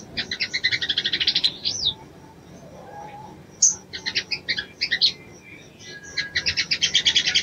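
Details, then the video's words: A female Crimson Sunbird calling to a male, said to stimulate the male's breeding drive: high, fast, buzzy chattering trills in three bursts of about one to two seconds each, with quiet pauses between. "SOGON BETINA MEMANGGIL JANTAN"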